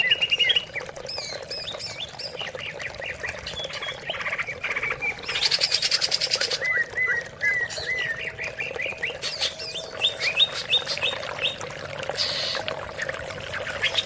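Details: Greater green leafbird lure song meant to get reluctant leafbirds singing: chattering, jerky note runs and sweet warbles, broken by two loud, hissy rushing bursts, with a constant low hum beneath.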